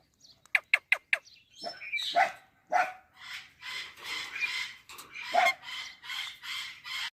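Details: Indian parrot: four sharp clicking taps first, then a few squeaky notes, followed by a steady run of rich, voice-like harmonic syllables repeated roughly every half second.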